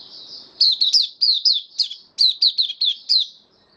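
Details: High-pitched white-eye (mata puteh) song, caged bird recorded 18 May 2022 after deworming: a soft warble opens, then two fast phrases of sharp, descending chirped notes.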